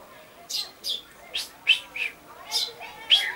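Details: Common chaffinch on 22 August 2013, uttering a quick series of about seven short chirps, some buzzy and some sharply pitched, coming at an uneven pace of under a second apart.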